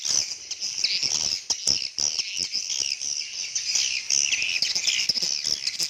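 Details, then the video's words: Swiftlet communication calls: busy high-pitched chirping and trilling from many birds, rapid clicking notes woven through, loudness rising and falling. "suara asli walet"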